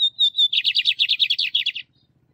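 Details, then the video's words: A caged male Lined seedeater sings for training other birds, opening with clear high whistles that turn into a rapid string of buzzy repeated notes lasting just over a second, with a faint low hum underneath. "CANTO DO BIGODINHO MACHO E PIADO DA FÊMEA BIGODINHO"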